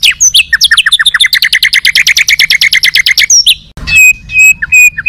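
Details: Oriental magpie-robin kept for song contests, pouring out a rapid stuttering series of clipped notes for three seconds, then sliding whistles and spaced piping notes after a sudden break.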